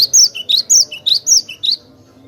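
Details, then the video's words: Cinereous tit in lively, clear-voiced song, used as a training recording for other songbirds: high, sharp whistled phrases repeat quickly, each a bright downslurred note followed by a lower short note, about five times in two seconds. "Masteran Glatik batu gacor suara jernih durasi panjang"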